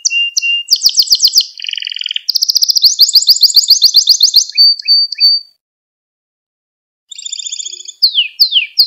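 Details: Training song of a canary for young birds: varied rolling trills at several pitches, a long fast pulsed trill, brief flat notes, a pause of about one and a half seconds, then trilling and descending sweeps.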